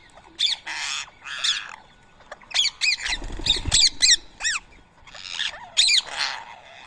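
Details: Wild rose-ringed parakeets at a morning feeding of soaked boiled rice in Coimbatore, 7 AM on 31 March 2024, give harsh, high screeching squawks in quick bursts, about a dozen over seven seconds, with a brief low rumble.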